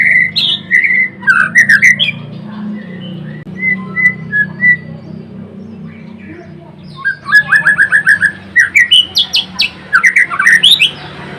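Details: Vigorous song of a blorok white-rumped shama: bright whistled slurs and high ticks, a run of soft repeated whistles, a lull, then a fast burst of rapid repeated notes and sweeping whistles over a low background hum.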